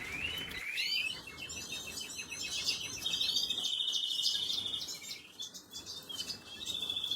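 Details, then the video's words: Young canaries at feeding time, 26 April 2022: a rising whistled note opens into a long, steady high whistle, surrounded by quick, thin cheeps repeated several times a second. "خواردن دان بەبێچوی کەناری،أطعام فراخ الكناري,Canary Feeding Baby"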